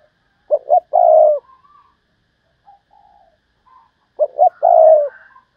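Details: Decoy spotted dove, 'thúc bổi' calling style, delivering two three-part coo phrases: clipped double note and long low coo, roughly 3.7 seconds apart, faint quiet coos in the gap.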